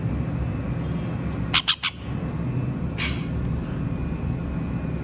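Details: Conures playing, giving two or three short harsh squawks close together, then a single rough squawk a second later, over a steady low hum.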